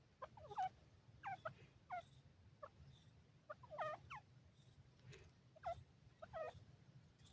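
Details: Grey francolin (teetar) giving its love call: short, clear, rising whistled notes with a sharp upward sweep, given in loose pairs and triplets about every second over a low steady background rumble.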